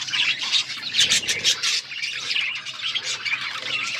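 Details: Budgies chirp in a busy stream of high, grating warbles and quick squeaks, loudest around the first second and a half, then steady chattering.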